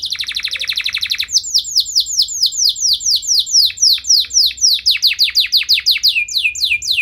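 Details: Canary delivering a long song with elaborate phrasing, meant to stir rival canaries into singing back: a rapid buzzy trill followed by a long run of quick, sharply descending whistled notes repeated about twice per second.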